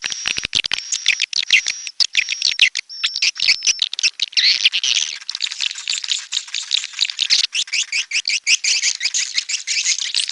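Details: Red-nest swiftlets: clicking and a thin high tone at first, then a long, dense stream of fast, buzzy high twitters from several birds.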